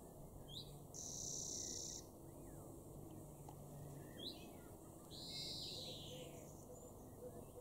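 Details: Garden European greenfinch in Weener, East Frisia, Germany, June 2022: a long, flat, high, sharp note, then short chirps and a rasping, arched, wheezy buzz later on, against constant low hum.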